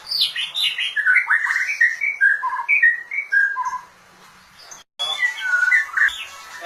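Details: White-rumped shama singing a rapid varied run of clear whistled and warbled notes, rising and falling in pitch, broken by a short pause before resuming.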